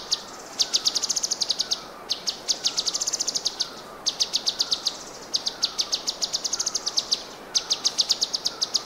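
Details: Cucak cungkok, the orange-bellied leafbird, in full continuous song: rapid trains of bright, high, clipped notes repeated in quick series of roughly ten to fifteen, broken by short gaps, over light background noise.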